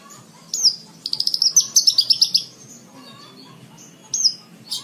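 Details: Javan bush lark singing, as tutoring material for cage birds: a slurred high whistle, then a dense rhythmic trill of rapid chirps with varied pitch, and a final whistled note.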